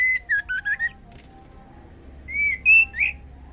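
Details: Breeding female white-rumped shama summoning the male: four quick whistled notes in a row, a short gap, then three louder rising whistles, the last one twisting upward.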